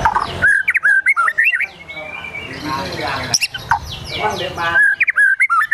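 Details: White-rumped shama singing agitatedly: bright whistled slurs at either end around a rasping, buzzy middle section, with a single sharp click near the midpoint.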